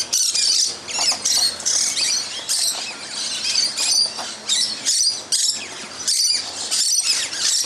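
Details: Musk lorikeets in a loud feeding flock in a tree one morning, a continuous ruckus of piercing, high-pitched screeches and chatters in bursts about every half second, with no other sounds.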